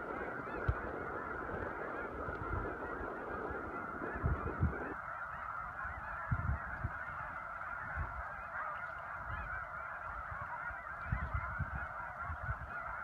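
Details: Migrating snow geese at Choteau, Montana, in spring, March 18-19, 2015. A huge flock keeps up an unbroken wall of nasal honking. Low wind rumble is heavy at first and eases after about five seconds, with occasional thumps.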